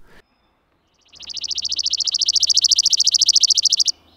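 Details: A Chipping Sparrow sings a dry, rapid, gritty trill of about thirty-five identical high chips, roughly twelve per second, steady in pitch and growing slightly louder, harsher and longer-lasting than the similar bell-like Dark-eyed Junco song.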